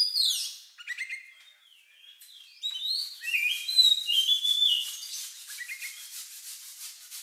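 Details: Oriental magpie-robin with a strange lovebird-like song used to set off other birds; a falling whistled sweep, soft notes, then a long loud whistle fading into quieter twitters.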